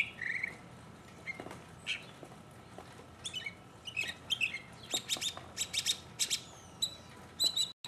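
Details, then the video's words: Solo mockingbird, 2015. Scattered squawky notes and short phrases come first, then a burst of quick, sharp, repeated clicks and chirps, softer against a quiet background. "mockingbird Solo 2015"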